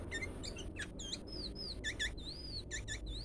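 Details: Sooty-headed bulbul giving an unusual call: short arched whistled notes, rising then falling, alternating with quick stacked chirps and clicks over a steady low hum.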